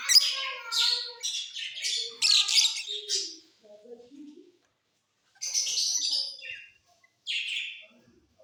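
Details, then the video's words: Mutation lovebirds in a flight cage, singing during the off season: bursts of harsh, buzzy, high chirps in rapid strings for about three seconds, a pause with faint low notes, then two shorter scratchy bursts. "Love birds Mutation singing during off session"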